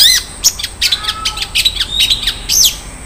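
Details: Long-tailed shrike singing a richly filled 'isian mewah' song. Harsh squeaks and high whistled chirps tumble in quick uneven bursts, including some loud swooping notes.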